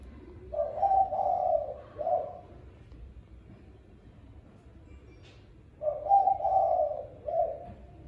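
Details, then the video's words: Spotted dove cooing in the evening at feeding time. Two deep, soft coo phrases, each a short run of mellow hooted notes lasting about two seconds, separated by a few seconds of quiet. "Cù cu gáy tối ăn cơm là gáy"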